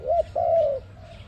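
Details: ARIMIX dove used as a trapping lure, giving a brief clipped note then one drawn-out mellow coo that fades down at its end, with faint low background rumble.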